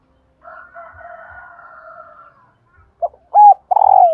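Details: Female spotted dove call meant to stir males into cooing: a long droning crow-like call in the background first, then a short note, a paired hooked coo and a loud descending coo at the close.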